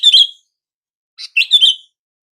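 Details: Sooty-headed bulbul calling sound, used to make silent bulbuls respond: two bursts of bubbly, chirping notes with a bright slurred whistle near the end, separated by about a second of quiet.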